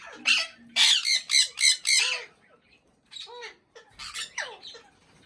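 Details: Talking ringneck parrot: five quick raspy syllables in a row, a pause, then softer nasal warbles and a descending squawk.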